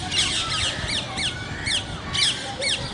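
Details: Parrots calling in a lively outdoor chorus: rapid, high, shrill squawks sweeping downward, repeated about twice a second and overlapping, with a faint steady tonal whistle running underneath.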